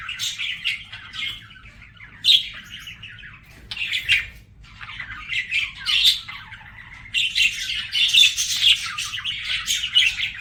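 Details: Budgie warbling in uneven bursts: soft rambling chatter, a few louder squawky notes, then a denser, louder stretch of scratchy chirps toward the end.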